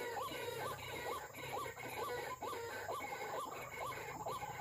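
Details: White-breasted waterhen calls played from an MP3 recording to lure wild birds: a steady run of sharp upslurred notes, about two per second, over a constant low hum.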